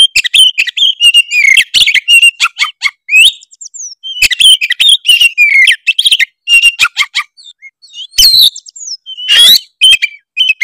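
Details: Oriental magpie-robin of the Tretes type, singing full and varied to provoke rivals: dense runs of whistles, buzzy trills and chattering notes, with harsh rasping bursts toward the end.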